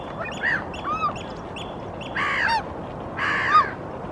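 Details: Eurasian oystercatcher standing on a rock and gesturing with its wings in Helsinki, Finland, April 2023: loud arched piping notes, then two harsher, buzzy, drawn-out calls about a second apart.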